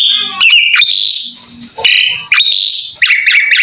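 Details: Full master song of an Asian pied starling, meant to make other birds respond: sustained piercing whistles, a falling slur, then a string of quick repeated chirping notes.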